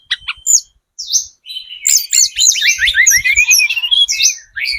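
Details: Spotted 'trotol' Sunda robin in lure song aimed at drawing other birds: a few opening chips, then a rapid cascading string of descending slurred whistles, with faint low rumbling beneath.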